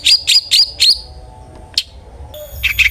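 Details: Long-tailed shrike song used as a lure for other shrikes: four quick buzzy whistled notes, a pause, one harsh rasp, then a rough chattering burst at the end.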